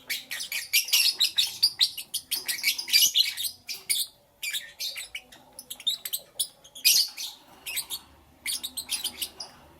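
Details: Lovebirds chirping in the morning, a continuous run of rapid, harsh, high-pitched chirps and squeaks in tight clusters, briefly pausing and resuming, bright and scratchy throughout.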